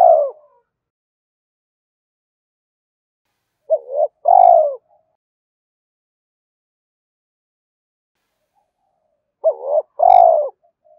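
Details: Spotted dove coos meant to lure a rival, driving and calling notes; phrases of a brief hooked note plus long falling coo recur roughly every six seconds across long silent gaps.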